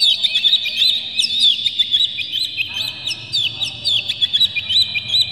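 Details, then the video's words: Oriental magpie-robin (kacer) in an agitated, tail-spreading display, singing a full, rough-textured song used to provoke other magpie-robins into singing: dense rapid whistles, trills and sharp upslurred notes, continuous and high-pitched, with a faint low background hum. "dijamin kacer langsung ngamuk2 dengar kacer ini bongkar emosi buka ekor ngobra full isian"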